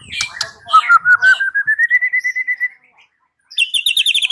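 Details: White-rumped shama song used as a lure to make another shama answer and sing freely: a long series of short clear whistles climbing gently in pitch, then a pause and a fast high chattering trill.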